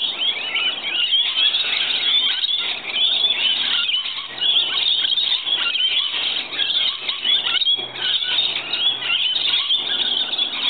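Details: Rainbow lorikeets, a group arriving in the morning to be fed, produce a dense, continuous wall of harsh, high screeching chatter with overlapping calls throughout and barely a pause.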